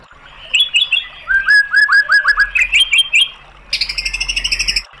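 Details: White-rumped shama song for provoking another bird to answer: repeated short whistled notes, a stepped series of slurred phrases, then a fast high rattling trill, over a low background hum.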